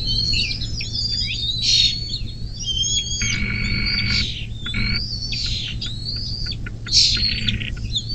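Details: Bald eagle at the nest near South Lebanon, Ohio, USA, on the morning of 24 May 2024, captured by a nest cam: high piping chirps interrupted by harsh buzzy bursts, all above a steady low hum.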